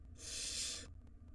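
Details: ['Wild barn owl nestling inside a nest box at feeding time, mother bringing rodents; one loud, swelling, breathy hiss lasting nearly a second, then quiet low hum.']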